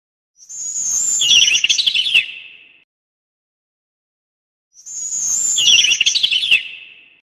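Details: Two sparrow calls, each a sharp high whistled note dropping into a fast buzzy twittering burst lasting about two seconds, separated by silence.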